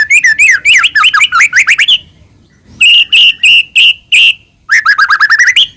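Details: White-rumped shama singing to provoke another shama into song: quick zigzag whistled phrases, a pause, five loud evenly spaced clear notes, then more rapid falling whistles.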